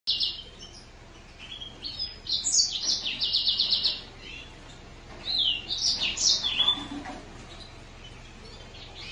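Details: Green singer finch, also called Mozambique canary, delivering two bursts of high, rapid twittering song with sweeping whistled notes and fast trills, separated by short pauses.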